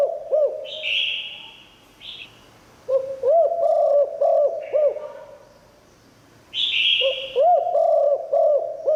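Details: Spotted dove giving a 'liu tan' style song, kept to lure wild doves. Deep, rounded coos come in short bouncing phrases, separated by pauses, with brief hissing, buzzy bursts higher up between phrases.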